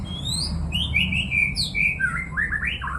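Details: White-rumped shama in rapid, continuous song: bright sliding whistles and warbled notes run together without pause, rising and falling, over a low steady background hum.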